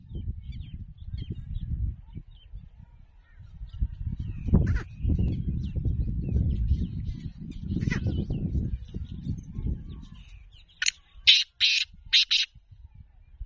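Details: Black francolin call heard only at the end: four abrupt harsh, buzzy bursts, after a long stretch of loud low rumbling wind or handling noise with a couple of brief squeaks.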